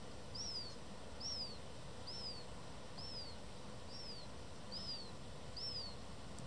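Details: Black-headed gull fledgling begging an adult for food at Dojlidy, Białystok, on 27 July 2024, giving thin, high whistled notes that arch up then slide down, repeated about once a second, over a steady low rumble of wind.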